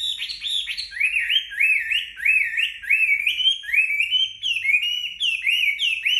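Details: A Chinese hwamei, just bathed and drying in the sun, sings a loud, rich stream of rising, slurred whistles, about two phrases a second, bright and varied; nothing else is heard.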